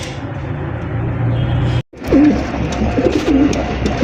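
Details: Domestic Iceberg Damascene pigeons, a breeding pair with eggs and young kept at a farm, cooing: low rolling coos rise and fall from about two seconds on, after a brief cut, with room hum and some indoor noise.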